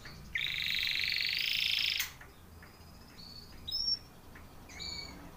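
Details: Timbrado canary training song: one strong rolling trill about two seconds long, followed by scattered short whistled notes over steady background hiss.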